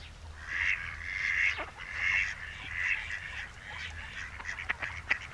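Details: Breeding-season mallard courtship on the Noia seafront, Ría de Noia, two drakes displaying to a duck: drawn-out nasal calls repeated roughly once a second, ending in a flurry of short clipped notes, with a faint low hum behind.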